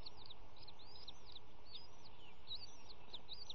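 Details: Nest cam over a pond, early morning of March 18, 2018: three baby bald eagles being fed by their parents give rapid, piercing little chirps, each a short rising-falling whistle, tumbling continuously above constant low-pitched hum.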